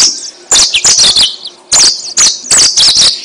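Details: Yellow-fronted canary song played as a lure for trapping birds: short bursts of high, bright twittering notes with quick down-slurred whistles, two separated phrases broken by brief pauses.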